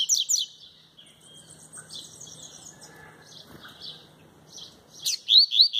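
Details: Singing alone without a female, a double-collared seedeater delivers tui-tui song. Sharp high slurred notes open and close the strophe, with a softer warbling passage between them. A man's voice urges the bird on.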